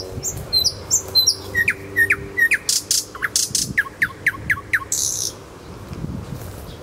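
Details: Singing nightingale in Kuzminsky forest park: rapid high whistles give way to a long run of sharp, down-slurred notes repeated several times a second, with clicking strokes and a final rasping burst.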